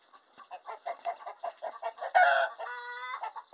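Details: Hen in a henhouse announcing a freshly laid egg: a run of quick, clipped clucks climbs into a loud, drawn-out nasal squawk, then the clucking resumes.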